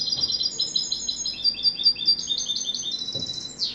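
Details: European goldfinch singing: a high, tinkling twitter of quick chirps and short trills, shifting in pitch and running almost without pause, over a faint low background hum.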